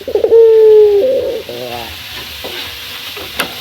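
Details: Male Barbary dove calling a rival in the morning: one long, smooth, low coo falling slightly at its end, a soft trailing purr, then a quiet background with a single sharp click.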